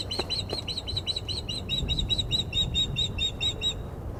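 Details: High, insistent whistled chirps from a female osprey unhappy at an unringed male on the perch of the Glaslyn nest, 14 April 2021, delivered in a steady fast series of over twenty notes against faint low noise.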